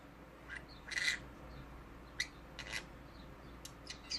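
A conure gives a few short, harsh squawks and chirps, the loudest near the start, then scattered scratchy notes over a steady low hum.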